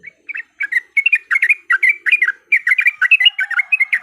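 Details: Bubbly, chattering yellow-vented bulbul song played as a lure to trigger fighting song, starting with scattered notes and quickening into dense clusters of gurgling chirps.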